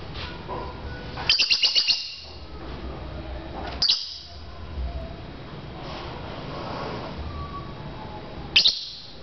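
Lovebirds give a quick burst of five or six sharp, high chirps, then single shrill notes a few seconds apart over a steady low hum.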